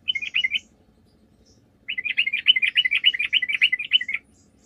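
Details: Vigorous yellow-vented bulbul song, a lure for making other bulbuls respond: a brief phrase of bubbly chirps, a short gap, then over two seconds of rapid, rhythmic, chattering notes.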